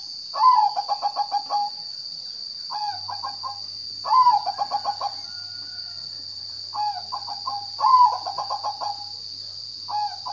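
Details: Zebra dove cooing: a stuttering phrase that opens on a slurred note and runs into a quick series of soft pulsed coos, repeated about every three to four seconds, with a constant shrill high hum in the background.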